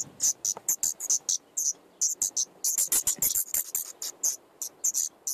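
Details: Five nightingale chicks in an attic nest on 15 May 2014, both parents bringing food; rapid series of short, harsh, high-pitched hissing bursts, several per second, with brief gaps and faint low rustling underneath.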